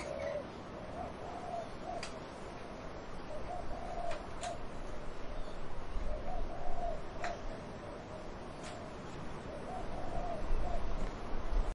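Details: Dove cooing in trees with wind: a continuous series of low, mellow, rolling coos throughout, punctuated by a few sharp clicks or snaps, with wind rumbling beneath and growing stronger toward the end.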